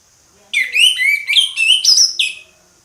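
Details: Orange-headed thrush singing in the ngeplong style: a loud two-second run of clear, varied whistled phrases, sliding and warbling up and down, with a faint steady high hiss behind.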